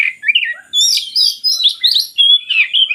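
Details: Brief stretch of oriental magpie-robin song, played to coax lazy birds into singing, made of fast, tumbling warbled and chattering notes with sharp high squeaks, delivered almost without pause.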